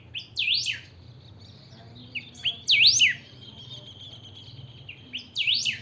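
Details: Pet saffron finch, called chiviro, singing vigorously: three loud phrases of steep up-and-down swooping notes, each led by short high chirps, with a faint thin buzzing tone between them.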